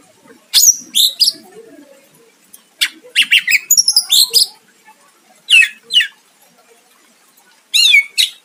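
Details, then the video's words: Greater green leafbird singing to draw a rival's reply: scattered groups of harsh, squawky notes and bright slurred whistles separated by pauses, with a faint low murmur between phrases. "Cucak ijo gacor mancing lawan dijamin Nyahut"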